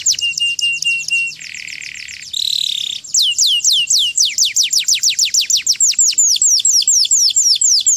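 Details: Canary song in the chincin style: a high thin trill, then a buzzy block, then a long run of fast descending whistled sweeps repeated about twice per second, loud and clear.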